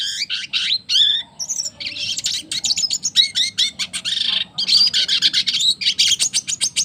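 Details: Caged red siskin of the double dilute colour mutation singing vigorously: rapid, high twittering bursts of buzzy chirps and short trills, with brief pauses between phrases and a quiet low hum beneath.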